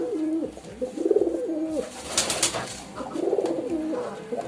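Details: Pigeon giving deep, rolling coos, each a wavering burst of about a second repeated after short pauses, with a sharp flurry of wing flaps in the middle and soft shuffling noise behind.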